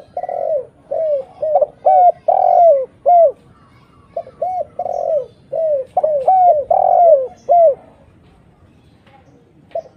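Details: Lure call of a spotted dove to bring in other doves: two phrases of rounded coos, short clipped notes alternating with longer slurred ones, separated by a brief pause and ending in quiet.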